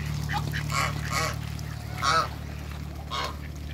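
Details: Mallard, hybrid mallard and Pekin ducks, two pairs in a backyard run, give four loud, drawn-out, nasal honking quacks spaced about half a second to a second apart over a constant low mechanical hum.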